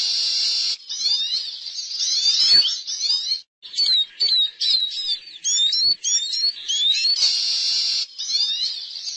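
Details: Caged Eurasian siskin sings a lively high twittering song: quick chirps, slurred whistles and short buzzy trills run together in bursts with brief gaps, loud and close.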